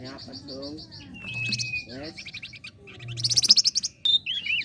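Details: Flame-breasted flowerpecker singing, as a lure for competition birds: a quick series of high ticks, a long thin level whistle, then a loud chattering trill and twisting high warbled notes, over low hum.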